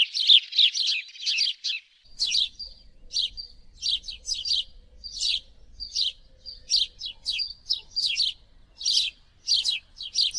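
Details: House sparrow chirping continuously, a dense rush of scratchy notes at first, then spaced chirps over a low rumbling background hum.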